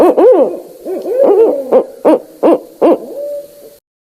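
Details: Barred owl calling in a series of short, low hoots, some paired and bending, ending on a held note about four seconds in, then silence.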